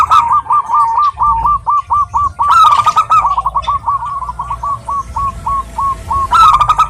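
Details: A female zebra dove calling a male repeats crisp, hooked cooing notes in a steady stream, slowing slightly toward the end. Short bursts of high chirping come at the start, middle and close.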